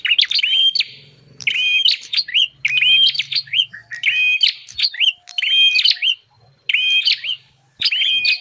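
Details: Bar-winged prinia recording played to attract wild birds: clear whistled phrases punctuated by sharp clicking chirps, repeated about fifty times a minute with short gaps, a faint low hum in the background.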